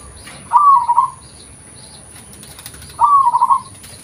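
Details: Local zebra dove, an original recording meant as a lure call, giving two mid-pitched warbling trilled coos about two and a half seconds apart, each under a second long, over a faint steady high whine.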